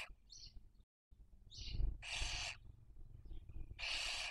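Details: In Cabañeros National Park, Spain, a webcam picks up Barn owls raising young in the 2023 breeding season: faint squeaks followed by two strong rough hisses about a second and a half apart, with low background rumble.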